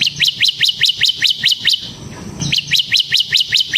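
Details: Semi-type bar-winged prinia singing hard: steady, evenly spaced series of high, sharp chirps about six per second, a brief lull midway, then the same rhythmic chirping resumes.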